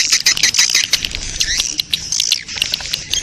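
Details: Swiftlet colony mating chorus, a lure sound for attracting swiftlets: dense, high-pitched twittering chirps and trills overlap continuously, with scattered sharp clicks and a faint low rumble beneath.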